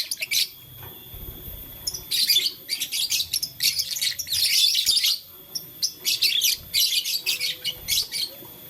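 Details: Blue, lutino and green lovebirds playing with a flower give dense, high, scratchy chirping in rapid bursts, with bouts of near-continuous chatter broken by short pauses and a faint steady background hum.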